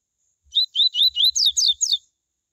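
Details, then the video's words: Coleiro tui tui singing a phrase used to warm up and stimulate other coleiros: seven high whistled notes in about a second and a half, the first ones short and rising, the final ones sweeping downward, with nothing else heard. "COLEIRO tui tui A MELHOR CAMPEADA para ESQUENTAR COLEIROS"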